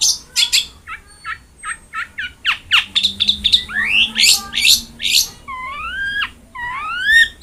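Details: Cendet, the long-tailed shrike, in a training recording for a bird that will not sing: varied song mixing quick high ticks, sharp down-sweeps and clear rising whistled slurs repeated near the end.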